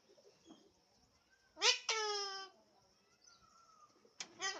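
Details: Indoors, an Alexandrine parakeet lets out a loud harmonic squawk opening with a quick rising note and holding for about half a second, then starts a second call at the end, over faint background murmurs.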